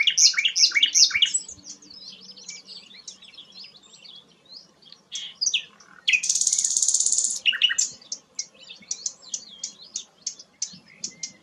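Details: Lively song of a sikatan londo flycatcher, kept as a tutor for magpie-robins: quick jumbled high twitters, a quieter gap, then a long harsh buzzy trill followed by sharp separate chirps repeated about every half second.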